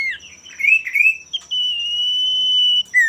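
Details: Male common iora singing to goad rival birds into answering: rising whistled slurs lead into one long, level, clear whistle lasting about a second and a half, ending with a short downward note.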